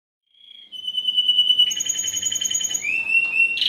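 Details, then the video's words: Spanish Timbrado canary, a first-generation 2015 cross with the wild canary, bred in captivity. A clear whistled note swells into a dense metallic trill, then glides upward and ends in a sharp, bright burst. "Timbrado Español x Serinus Canaria"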